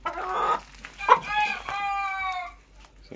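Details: Chicken recorded naturally without added effects; quick clucks, then a long, drawn-out harmonic cackle falling slightly in pitch over about a second, with a man speaking faintly.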